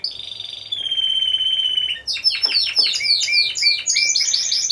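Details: At a November 2015 Timbrado Español singing competition, team class C1, canaries deliver a steady metallic trill, then a burst of quick sweeping chips and short repeated ringing notes.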